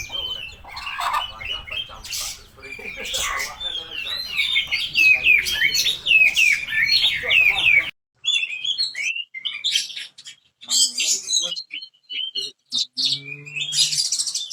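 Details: Spotted oriental magpie-robin pouring out lovebird-like song: about eight seconds of fast, continuous screechy chattering, then sudden silences broken by separate short bursts of sharp chirps.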